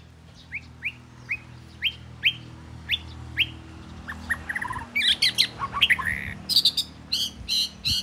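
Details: Southern Thai Oriental magpie-robin, the home's first bird, giving a run of short upward-sweeping whistles spaced under half a second apart, then a denser burst of sharp, high, varied chirps and trills.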